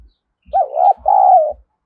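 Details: Spotted dove giving its luring coo for wild doves, one phrase made of a quick hooked note and a longer sustained coo that tapers downward, accompanied by soft low bumps.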